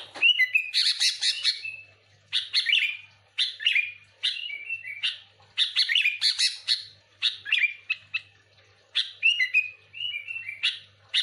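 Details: Lively bulbul chatter for luring other sooty-headed bulbuls, dense bursts of chirps broken by short liquid whistled phrases that slide down, phrases coming in clusters with brief pauses, a faint low hum throughout.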